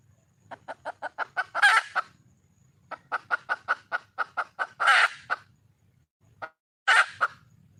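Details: Wild red junglefowl hen calling for a male: three bouts, each a quickening run of sharp, evenly spaced clucks ending in a loud, harsh, drawn-out squawk, with short quiet gaps between.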